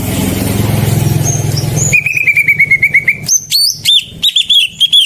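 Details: Greater green leafbird song used as a lure to get silent birds singing: after two seconds of low engine rumble, a fast run of clear whistled notes on one pitch, then sharp higher slurred whistles and bright rising phrases.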